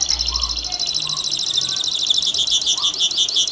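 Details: Saffron finch singing for a long stretch, a fast high run of repeated chirping notes that keeps going without a break, bright and slightly buzzy throughout.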